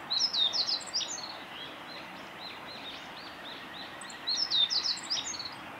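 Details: Meadow bunting male in song at Miyagase Lake on 6 May 2016, forest road: two quick, high, jangling phrases of clipped chirps about four seconds apart, thin distant notes between them over a soft hiss.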